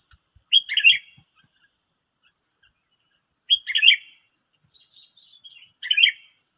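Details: Wild sooty-headed bulbuls answering a decoy bird in West Lampung, Indonesia: three short, bright chattering phrases, each a quick cluster of warbled notes, spaced about three seconds apart against a continuous thin hiss.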